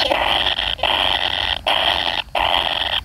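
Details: Kingfisher nestling waiting for a parent gives a long, coarse, hissing rasp, held for most of a second, then repeated after brief pauses, three to four times.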